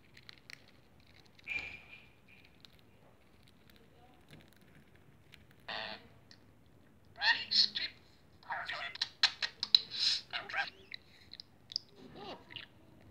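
A budgerigar gives bursts of scratchy, high chattering calls separated by quiet pauses.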